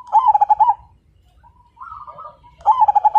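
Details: Active Majapahit zebra dove song, meant to prompt other birds to sing: a loud burst of rapid pulsed coos opens, quiet rising and falling notes follow, then a second strong pulsed phrase begins.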